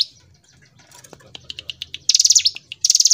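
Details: Hill prinia singing in lively gacor ngebren style: quiet scattered chips building to rising single notes, then two loud, rapid, high-pitched buzzy trill bursts near the end.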